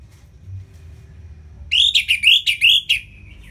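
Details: Ngeplong song of an Orange-headed thrush used as a tutor for lazy birds; after quiet hum, a string of six loud, swooping whistled notes ending in a soft trailing whistle.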